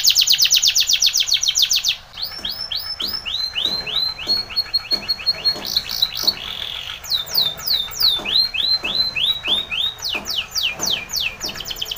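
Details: Spanish Timbrado canary singing for training: a fast rattling trill, then repeated arching whistles, a short buzzy roll, and bursts of falling sweeps, with faint clicks beneath.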